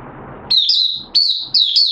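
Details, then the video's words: Caged Malaysian Oriental white-eye in a minor moult, recorded 2 April 2023, giving its opening song: three high, thin, slightly warbling whistled bursts, each about half a second long, after a brief stretch of low background hum. "Malaysian Mata Puteh Buka Sing"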